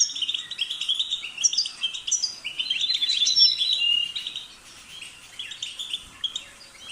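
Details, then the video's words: European goldfinch twittering: a dense, blurred run of chattering notes and trills for about four seconds, fading to softer scattered chirps. "The sound of the goldfinch's chirping"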